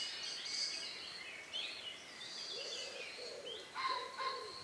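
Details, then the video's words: Evening birdsong in the countryside a few minutes before night, recorded outdoors on May 2, 2020 around 9 p.m.: several birds overlap with high whistled phrases and trills, plus lower soft repeated notes near the end. "relax sound of bird in the evening"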